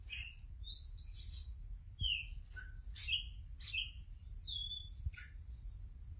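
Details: Oriental magpie-robin kept in a cage, singing right after the cover comes off: quiet mix of sweet whistles, rasping notes and slurred high phrases, with constant low background rumble and a couple of soft knocks.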